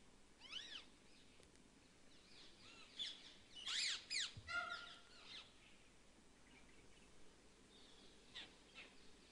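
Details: Jungle babblers in Sariska Tiger Reserve, Rajasthan, India, amid scrub-thorn and dry deciduous forest, give squeaky, mewing and harsh chattering notes in scattered bursts, busiest around the middle, over a soft background hiss.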